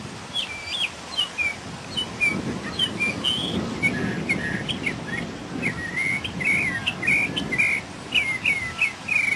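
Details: A northern mockingbird, recorded in 2006, sings a steady run of varied, bright chirps and whistled phrases, each quickly repeated before switching, over a low rumble of wind or distant traffic.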